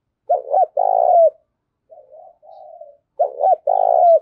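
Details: Decoy spotted dove calling eagerly to lure wild doves: deep, rolling coos in a pair of short notes and a longer one, a softer muffled phrase between, then the pattern repeats.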